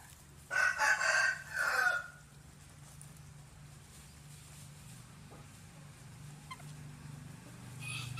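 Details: Morning rooster crow: a loud, buzzy burst in about three pulses over one and a half seconds, followed by a long stretch of low background hum and faint distant sounds.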